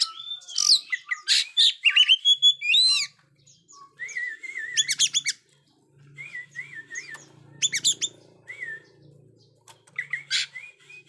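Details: Oriental magpie-robin in rich song, played to train still-silent young birds: quick harsh chip series, then repeated looping whistled phrases and buzzy bursts, about four notes a second, over a faint low hum.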